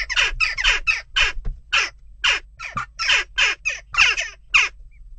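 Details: Western jackdaws in ongoing unrest at a nest box: a rapid, uneven series of about fifteen sharp, scratchy 'chak' calls over five seconds, some doubled, above a faint low hum.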